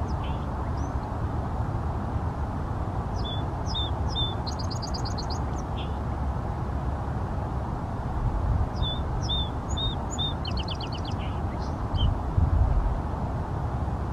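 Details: Song sparrow in Seattle delivering two songs several seconds apart: a few crisp opening notes, then a rapid buzzy trill, heard against a heavy steady low roar of traffic.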